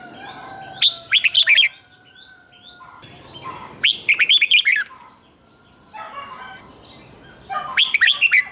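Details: A caged red-whiskered bulbul gives a doubled-phrase 'riik' song used to train young birds to copy it. Three rapid, bright, warbling phrases of rising and falling notes come about three seconds apart, with soft bird chatter in the background.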